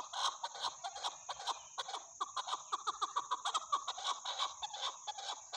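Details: Chukar partridge in a dense, rapid clucking series of rough, chattering chuck notes, tightly packed and uneven in loudness, against a steady high hiss.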